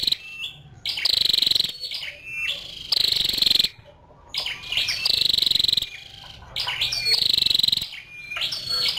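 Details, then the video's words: Female scarlet-backed flowerpecker calling repeatedly: loud buzzy trills roughly every two seconds, interspersed with thin, sharp, falling chip notes and twitters. "Tiếng chim sâu đầu đỏ mái"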